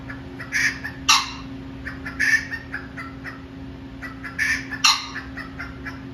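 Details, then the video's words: Male pheasant calling: harsh, raspy bursts in close pairs, repeated about every two seconds, over a steady low background hum. "Mr Pheasant Making Noise"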